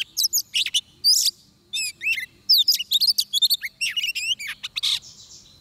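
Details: Oriental magpie-robin at a trapping site: rapid run of sharp, high whistled and chirping notes with steep slurs, delivered in quick bursts with brief pauses, forming a loud varied song over a quiet background.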